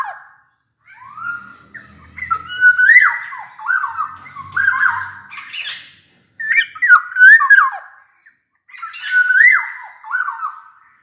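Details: Black-naped oriole giving loud, mellow, fluty slurred whistles like a bamboo flute, mixed with harsher nasal notes, in four bursts separated by brief pauses, used to prompt silent orioles to sing.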